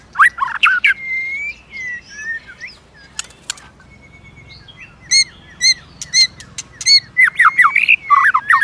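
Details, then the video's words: Many-voiced White-rumped shama fighting song meant to challenge other shamas: quick slurred whistles, crisp clicks, and a string of short ringing notes repeated about twice a second, ending in loud scratchy phrases. "Chòe lửa kích lửa CỰC HAY-NHIỀU GIỌNG ,tạch liên tục đập đuôi kích chòe lửa lên lửa hót đấu."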